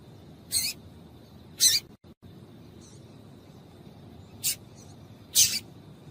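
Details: Four isolated, very high, crisp chips from a female Double-collared Seedeater, a call used to make males sing, spaced unevenly across several seconds over a quiet background with a brief gap of silence.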